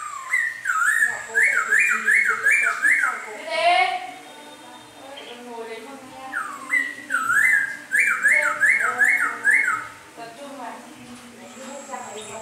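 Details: A black laughingthrush sings in the rain: loud, rich whistled phrases of rapid rising and falling loops in bursts with short pauses, a few softer notes between phrases.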